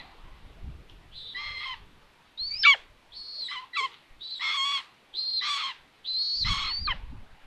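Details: Common buzzards at a nest in Tiszalök, Hungary, on June 21, 2022, filmed by a solar-powered live nest camera; the mother arrives with food to find the nest empty. Six harsh, mewing calls with downward-bending ends, spaced about one second apart.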